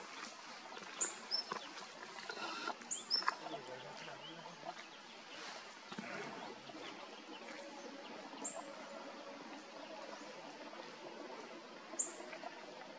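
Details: Maroon-backed Accentor (Prunella immaculata) at Walong, Arunachal Pradesh, India, in December 2023, gives thin, very high, sharp 'tsi' notes, some in quick pairs, spaced irregularly over a steady rushing background like wind or running water.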